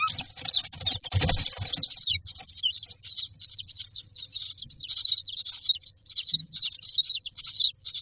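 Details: Hungry common myna chicks in a nest box, waiting in a row for food, produce a nearly unbroken stream of harsh, high, wheezy begging chatter, with some low rustling and bumping early on.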